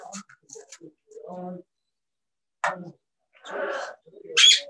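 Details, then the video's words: Parrots at a bird safehouse appear to speak English words to each other; murmured speech-like syllables and gravelly phrases, ending in a sharp, loud high squawk. "Talk to the Parrots"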